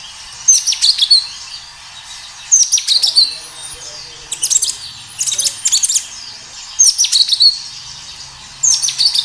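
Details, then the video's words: Lively kinoi song from a natural recording used to coax kinoi to reply quickly: high, scratchy chirp clusters and twittering notes repeated every one to two seconds, five bursts in total, with constant background hiss. "Suara kinoi gacor Suara alam pancingan kinoi agar bunyi"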